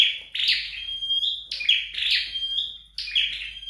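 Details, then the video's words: Kept at home for training, a flowerpecker sings three quick phrases of scratchy high chirps, each drawn out into a level piping whistle, with nothing else audible. "Dợt Sâu Đầu Đỏ Tại Nhà"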